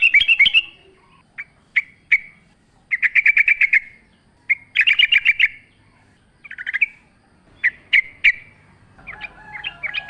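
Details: Yellow-vented bulbul in lively forest-style song with natural ambience: scattered sharp chips, short fast bursts of repeated bubbly notes, and a faint lower whistle near the end.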